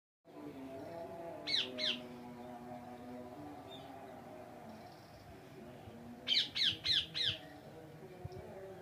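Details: Wild plum-headed parakeet perched on a cage giving short, shrill squeaky calls, first a pair and later a quick run of four, over a steady low background hum.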